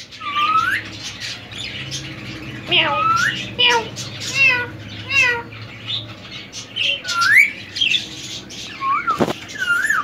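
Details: Semi hand-tamed three-year-old male ring-necked parakeet kept indoors, giving repeated harsh squawks and short rising-falling screechy notes with pauses, a person's voice faintly behind.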